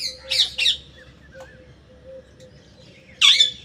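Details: A parrot gives two harsh, buzzy squawks close together at the start, then falls quiet before one louder rasping squawk near the end, over a low steady hum.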